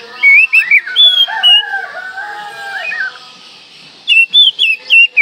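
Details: Oriental magpie-robin song for coaxing quiet birds to sing: loud whistled slurs and rich mid-pitched warbling, a pause, then a fresh burst of ringing whistled notes.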